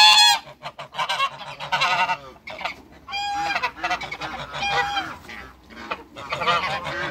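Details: Three African geese on a farm, met by a visitor: loud, harsh, nasal honks in rapid overlapping bursts, rich in harmonics, with brief pauses between volleys and several birds calling together.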